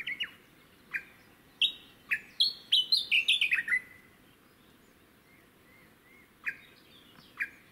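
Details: Japanese bush warbler on Teuri Island, Hokkaido, Japan, recorded 22 June 2019: sharp single notes at irregular intervals, then a quick descending cascade of bright whistled notes dropping in steps before ending on a lower note, with soft background hiss.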